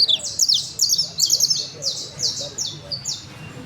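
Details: Criollo canary singing: high, rapid series of sharp repeated notes and short trills, steady roughly two to three per second, over a low background hum.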